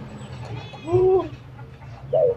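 A spotted dove gives soft, low, rounded coos, one longer arched note followed by a shorter one, over a faint background hum.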